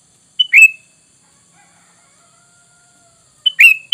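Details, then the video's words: Lure call of the sooty-headed bulbul, played so that untrained birds answer at once: two bright whistled phrases, each a brief high note followed by a slurred downward whistle, about three seconds apart with near silence between. "Dengan Surara ini kutilang bahan Langsung nyaut"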